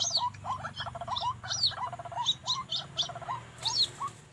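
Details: White-breasted waterhen in the afternoon behind a house wall, lured by a decoy bird during trapping; two came and one male was caught. It gives a busy run of short throaty clucks and grunts, broken about every second by sharper, high squeaky notes.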